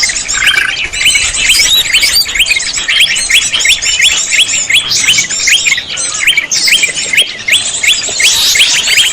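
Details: Greater green leafbird lure sound: rapid, jumbled twittering of sharp rising whistles and chattering chirps, roughly three notes per second, forming an unbroken busy song with varied high squeaks and trills.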